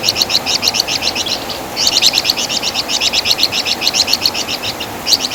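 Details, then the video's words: Master song of the flamboyan bird (Wergan Jawa) for teaching songbirds: brisk, ringing, high notes in fast repeated runs, interrupted by a short gap, then resuming. "Masteran Suara Burung Flamboyan | Wergan Jawa"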